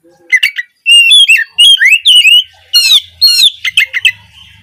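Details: Oriental magpie-robin in full morning song, played to get young 'trotol' birds singing sooner; dense, loud sequence of sharp whistled slurs, upward sweeps and chattering notes with only brief gaps.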